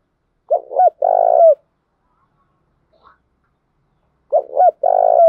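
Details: Spotted dove coo used to train decoy birds for trapping; two identical phrases about four seconds apart, each a quick double hooked coo then a long rolling coo, with silence between.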